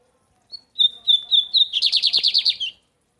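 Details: Lined seedeater, or bigodinho, from Brazil, in the American song style: a sustained high whistle broken into short segments, then a fast rolling trill of about ten repeated notes, with a single click midway.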